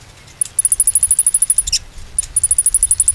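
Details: Bar-winged prinia song used as a lure to make birds sing: two long, very high, rapid trills of even ticking notes, split by a brief harsh burst.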